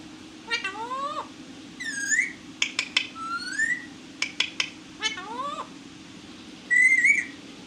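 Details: Pet parrot vocalising in varied bursts: swooping harmonic whistles, clusters of sharp clicks, rising squeaky glides, and a loud sustained wavering whistle near the end, with a constant low background hum.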